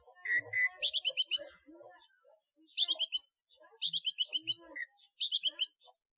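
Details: Long-tailed shrike singing, recorded as a master track for training cage birds: bursts of rapid, sharp high chattering notes repeated every second or so, preceded by two short mid-pitched whistles, with faint low background sounds.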